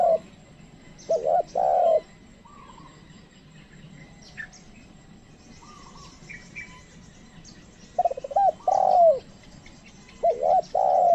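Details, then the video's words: Spotted dove kept as a lure to call wild doves: soft, low hooting coos in short phrases, repeated after pauses of several seconds, with faint chirps of other small birds in between. "pikat tekukur ajaran memanggil burung liar"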